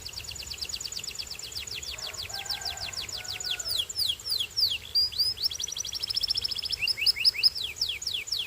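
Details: Belgian canary singing a long, varied song of rapid repeated high descending sweeps, fast trills and buzzy phrases, with brief lower whistled notes near the two-second mark.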